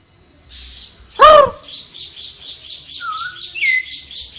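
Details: Flowerpecker singing lively: after one harsh arched note, a steady buzzy high pulsing repeats about three times per second, overlaid by two short descending thin whistles.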